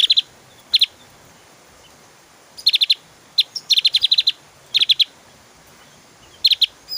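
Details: Javan grey-throated white-eye singing energetic 'tembakan' phrases, meant as tutor song for caged birds: rapid strings of piercing high chirps, some runs of six or more notes, alternating with brief silences.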